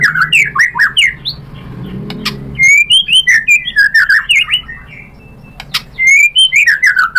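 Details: A white-rumped shama's lure song for provoking a rival into answering; varied sweeping whistles and rapid twitters in uneven bursts, with a quieter stretch midway before loud slurred notes resume.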